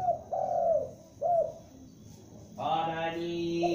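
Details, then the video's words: Calling from a juvenile spotted dove used as a lure: low hollow coos, a long falling one then a shorter clipped coo, after which a steady, buzzy harmonic drone takes over for the rest. "Tekukur Pikat gacor anakan Berbunyi Memanggil"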